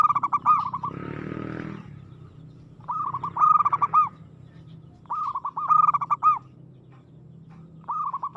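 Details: Local zebra dove singing actively and aggressively, giving repeated phrases of rapid, throbbing cooing notes with a brighter trilled middle, about one phrase every two to three seconds; a brief rustling noise sounds early on.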